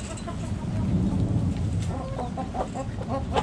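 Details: Backyard chickens: after a stretch of low rumbling background, a quick run of short, clipped clucks starts halfway through and repeats several times a second to the end.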